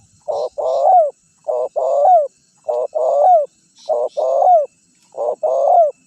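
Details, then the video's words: Steady decoy cooing of a spotted dove used to bring wild doves in: five evenly spaced phrases, each a clipped coo followed by a longer throaty coo ending in a downward glide. "Suara Pikat Terkukur Gacor Juara 1 Untuk Pancingan Cepat Bunyi"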